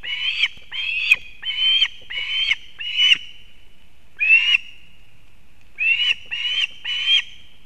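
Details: Osprey at a nest in Kurzeme, Latvia, on 31 August 2024, as the female brings a fish for the chick: bursts of shrill, scratchy piping notes in groups of two to five, broken by short silent pauses.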